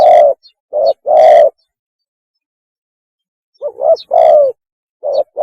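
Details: Spotted dove giving its mating call, a recording used to lure birds: short coo then long, full coo, repeated in paired phrases after a pause. The louder notes sound harsh and overdriven.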